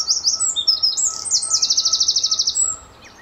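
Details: Very lively Eurasian wren singing loudly at Standalone Farm, Letchworth, on an early March 2014 morning, answering a nearby wren across territories; fast high-pitched warbling notes leading into a rapid even trill, then quiet.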